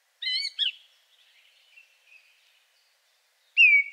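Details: A simple song from a second male song thrush, with a few unusual sounds: a rich, harmonic double note, soft twittering, a long quiet gap, then one loud, steady whistled note.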